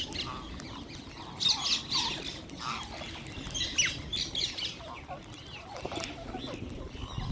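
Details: Flock of wild green parrots at feeding, with overlapping harsh squawks and chattering calls rising and falling in loudness, many birds calling at once.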